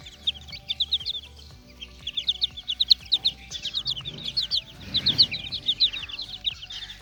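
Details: Small chicks playing, loud sharp high peeps repeated in rapid runs of several notes, about ninety-five per minute, with a brief low scuffle in the middle and faint music behind.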